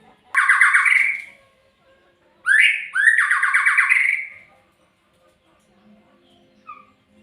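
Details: Murai, a magpie-robin, repeats the same phrase twice: a short upward sweep followed by a harsh, pulsing trill that slowly fades, with quiet gaps and a faint low hum.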